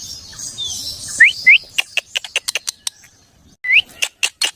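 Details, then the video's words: Pet parrot making sounds: a few quick rising whistled chirps, then a rapid series of sharp clicking notes, more chirps near the end. "funny parrot sound 🐦#cute parrot sound"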